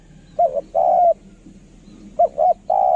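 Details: Two cooing phrases from a decoy spotted dove: a quick pair of short hollow notes, then a sustained mellow coo, with the second phrase's long note still running at the end.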